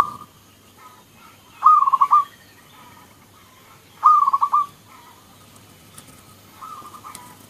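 A zebra dove gives soft, stuttering, rolling coo phrases of about half a second, repeated roughly every two and a half seconds, against a quiet background.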